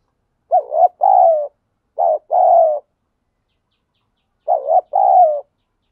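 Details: Spotted dove cooing 'thúc gù' outdoors in nature: three phrases of a brief quavering coo followed by a longer, gently falling coo, the first two close together and the third after a longer pause.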